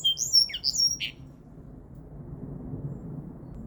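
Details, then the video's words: A linnet × canary hybrid (mule) gives a brief burst of high, sweet twittering and whistled notes for about a second, then falls silent over a low indoor hum. "Linnet × Canary Hybrid / Mule"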